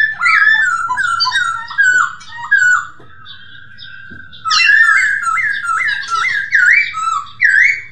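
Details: Loud song of a masked laughingthrush, recorded for training kept birds: a string of falling whistled slurs, a sustained steady note, then a quick series of wavering upward whistles in rhythmic succession.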